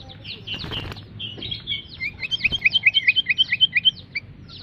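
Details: Sooty-headed bulbul, described as fierce, giving a few scratchy, tumbling notes and then a quick, even run of about fifteen bright, sharp, down-slurred chirps, roughly four to five per second, over a low background rumble.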